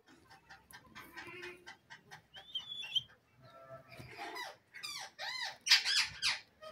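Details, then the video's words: Pet green parrot, a talking tota, imitating words in Urdu and Hindi: a run of scratchy, high, speech-like syllables, then a brief whistle and several bright arched squawky phrases near the end. "green parrot bird talking urdu hindhi,bolnay wala tota"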